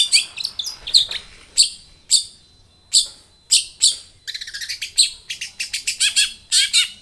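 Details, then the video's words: Long-tailed shrike singing a varied lure song to make other shrikes respond: loud separate sharp notes about a second apart, then a fast run of rapid repeated chips and chattering trills. "SUARA cendet Gacor full varian"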